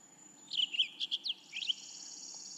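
A male Cassin's Finch gives a quick, high warbling burst of slurred notes lasting about a second and a half, over a faint steady hiss.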